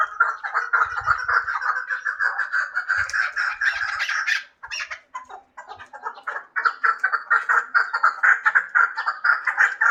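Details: Hybrid chukar partridge giving a rapid, dense series of harsh clucking calls. The calls are pitched mid-range and repeat about twice per second, with a brief quieter gap partway through. No other clear sounds are present.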